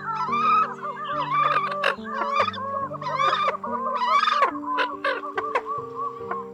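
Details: Lure recording of Eurasian coots for drawing in birds: many wavering, nasal, harmonic calls overlapping in a busy chorus, some sharp bursts, set against constant low held tones.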